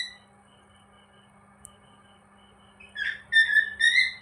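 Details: Cockatiel said to be happy: near-silence with a faint hum, then during the last second and a half a sudden bright run of whistled, slightly wavering notes.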